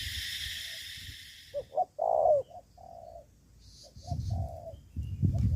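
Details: Spotted dove from Cà Mau, Vietnam, a decoy bird answering rivals, giving short clipped notes and a loud, longer coo, then softer even coos, with rustling and faint chirps from other birds.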